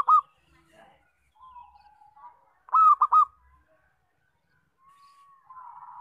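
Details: Local zebra dove, kept as a lure for trapping, with loud song: a brief arched note at the start, later a strong triple coo phrase, and quieter drawn-out cooing between and after.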